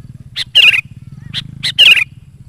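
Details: Sooty-headed bulbul song used as a lure for wild birds: two strong phrases, each a high clipped note followed by a rich bubbling whistle, with a pulsing low hum underneath.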